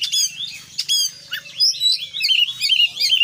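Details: Oriental magpie-robin delivering busy 'gacor full isian' song: short stacked metallic notes, then a tumbling series of rising and falling whistles, about two or three phrases per second, faint low hum below.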